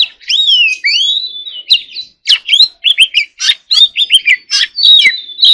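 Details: Competitive song of a white-rumped shama, opening with loud looping whistles that rise and fall, then breaking into a rapid series of short, clipped notes and sharp accents.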